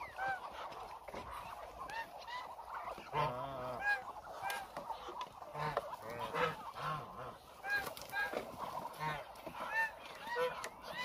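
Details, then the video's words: Hungry Muscovy duck flock of around 1000 birds walking about, a long stretch of crowded calling with scattered short honks, occasional low nasal grunts and brief clicks throughout. "1000 Hungry Muscovy Ducks"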